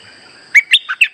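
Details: Streak-eared bulbul singing a trapping lure phrase of four clear, bubbly notes, each sliding up or down in pitch, evenly spaced over half a second, with a thin steady high tone behind.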